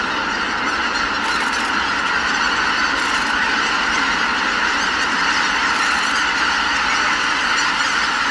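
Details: Greater white-fronted geese leaving their roost: a large flock's dense, continuous chorus of overlapping high, yelping honks merging into a steady clamour.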